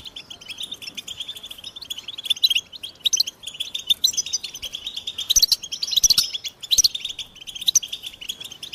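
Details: American goldfinch song: a bright, continuous twittering of high chirps and short trills, growing louder and busier in the second half with clustered bursts near five and a half to seven seconds.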